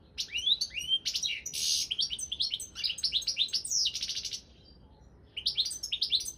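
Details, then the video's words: Balkan goldfinch, Carduelis carduelis balcanica, entered in an internet world song championship: rapid liquid twittering interspersed with rasping buzzes, a silent gap, then song resuming briefly. "Pesma štiglića 002/23 World Championship in Goldfinch Song"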